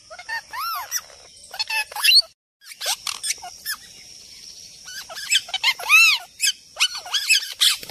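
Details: Parrot calls: sharp, squeaky arched screeches repeated in clusters, several birds overlapping, with a steady high hiss behind and a short silent gap midway.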